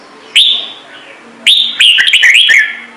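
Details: Trung Mang red-whiskered bulbul, its song said to start newly caught bulbuls singing: one short loud whistle, a pause, then a longer, bubbling phrase of quick, clear whistled notes.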